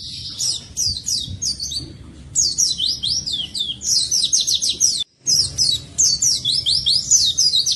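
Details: Oriental white-eye in strong, continuous song for training birds that sing little: rapid high descending whistled notes in dense repeated phrases, broken by one short silence.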